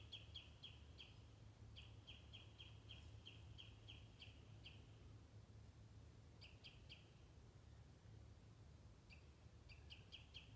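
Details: A common redshank with chicks at Stornäset, Alnö, Sweden, 13 July 2019, loudly alarms at a Eurasian sparrowhawk that landed nearby: sharp piping notes in rapid runs of five to ten, pausing between bursts, over steady wind rumble.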